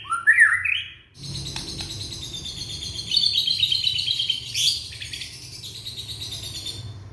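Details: Young Indonesian white-rumped shama singing to spur other shamas that have stopped singing. A bright rising whistle gives way to long, rapid, buzzy chattering trills, steady and dense, over a constant low hum.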